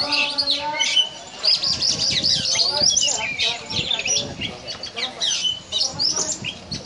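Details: Kacer, the oriental magpie-robin, performing 'ngobra' song compared to a snake: rapid, scratchy high phrases and chattering bursts nearly without pause, plus low rasping tones in the background.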